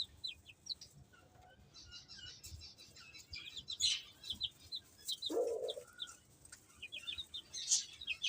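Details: Baby chickens feeding and playing, sparse quiet high peeps in quick little series, one louder lower call midway, a calm background between the chirps.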